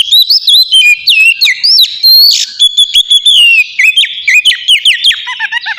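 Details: Oriental magpie-robin in open, loud ngeplong singing style, used as a lure to get captive birds singing: rich clear whistles, swooping slurs and sharp rising notes in a fast varied stream, with brief gaps.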